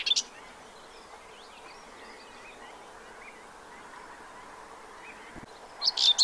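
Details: Common whitethroat (Curruca communis) in spring, 15 April 2023, Séné nature reserve, Morbihan, France, gives short, scratchy, high chattering song bursts at start and end, with faint distant birdsong and steady hiss between.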